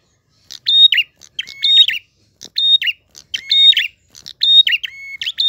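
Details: Prinia singing in an active, drawn-out 'gacor ngalun' style with a clear voice: phrases of a sharp click, a steady high whistle over a lower tone, then a quick falling-rising flourish, repeated about once a second with short pauses.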